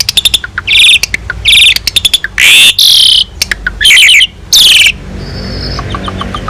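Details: Master recording of an Asian pied starling singing richly for training other birds: rapid clicking chips, loud harsh buzzy bursts repeated several times, then a faint sustained whistle and soft notes fading out.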